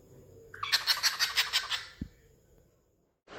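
A cockatiel gives a rapid, cackling run of about eight harsh, pulsed notes, mimicking a witch's laugh.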